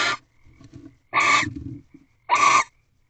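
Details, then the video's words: In an owl box shortly after midnight, during the egg-laying season, a male barn owl delivers a rabbit to the female. Three harsh, breathy screeches about a second apart, with quieter chattering rasps between them. "Male Barn Owl Delivers a Rabbit."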